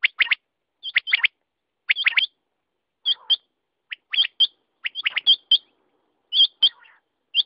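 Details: Quail calling: short, sharp, high chirping notes in quick clusters of two or three, repeated roughly every second against a silent background.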